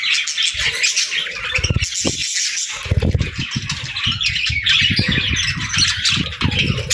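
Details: Pet budgerigars chatter with busy, buzzy chirps and squeaks over frequent low thuds and knocking sounds, with a short lull around two seconds.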